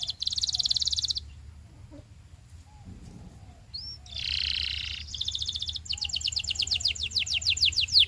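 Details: Canary song used for training: a buzzy high trill, a pause, a rolling burr, then a long accelerating series of sharp descending whistled notes.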